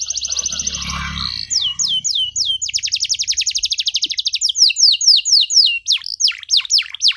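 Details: Canary singing long phrases for training young birds: an opening buzzy trill over low hum, then quick repeated notes, then loud down-slurred whistles in steady series.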